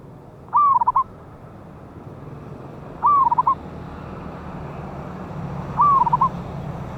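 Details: Wild local zebra dove with a loud voice, recorded for use as a lure sound, dated 11/8/24: three short, rippling cooed phrases, each a quick stuttering trill, repeated about every two and a half seconds over a steady low background hum.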